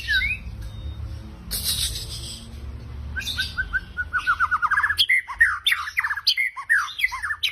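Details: White-rumped shama song used as a lure to trigger singing: a rapid series of short rising and falling whistled notes, quickening into dense chattering phrases in the second half, after a noisy, hissy opening.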